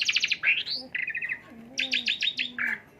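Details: Asian pied starling repertoire played to stimulate the bird: loud, rich, rapid chattering bursts of high notes, with rising slurred whistles and short trilled series between them.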